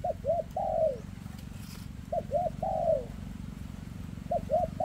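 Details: Spotted dove, a bird with a shaky leg, delivering the 'rước' style of cooing. Its phrases of two brief hooked notes and a long descending coo repeat about every two seconds, with a constant low drone behind them.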